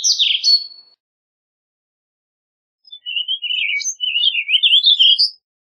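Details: Warbling vireo song: a short downslurred note opens, then after two seconds of silence a quick, run-on warble of slurred notes wanders up and down for over two seconds.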